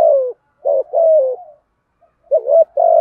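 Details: Spotted dove giving a provoking 'thổ thúc gù' coo to make other doves call. Low, smooth coos: a short note, a longer level-then-falling coo, a pause, then a wavering note and another sustained coo.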